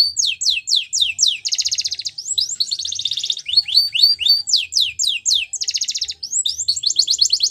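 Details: Wild canary song made of rapid downslurred whistled notes, broken by two dense buzzy rattling trills; the phrases change quickly and carry on without pause.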